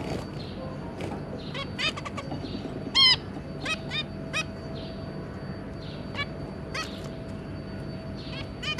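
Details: A zebra finch family of two adults and three juveniles, recorded 2 August 2022: scattered short nasal beeps, mostly soft, with a single loud honking call partway through and a constant low hum.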